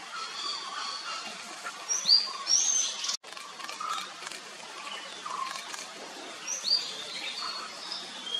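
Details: At Kotagiri, Tamil Nadu, India, in February 2023, a Nilgiri blue robin (white-bellied shortwing) gives a few widely spaced, high, thin whistled phrases that flick up and down, over a steady forest hiss.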